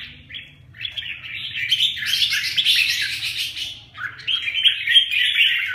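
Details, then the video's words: A fight between two red-whiskered bulbuls, Huế bướm and Huế tê giác types: scattered chirps swell into a loud, harsh burst of jumbled notes, then settle into a steady run of sweet whistled chatter. "Huế bướm huế tê giác phệt nhau"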